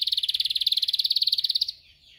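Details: Training recording of canary song: a loud, rapid, even trill of about seventeen beats per second, sustained for nearly two seconds, then stopping abruptly into a faint fading whistle.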